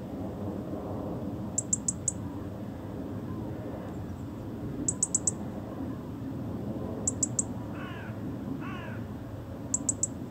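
European robin giving quick bursts of three or four sharp, high ticks every few seconds, with a couple of softer lower notes, over steady low rumbling noise.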